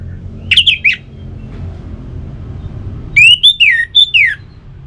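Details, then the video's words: {'caption': 'Orange-headed thrush uttering a short warbled phrase, a long pause, then a longer run of rising and falling slurred whistles, over a soft low hum; aimed at prompting kept birds to sing.'} "Suara Burung ANIS MERAH"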